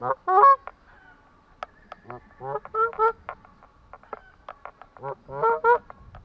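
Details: Atlantic Canada goose with bursts of clipped nasal honks and chattering notes, several calls overlapping in quick succession.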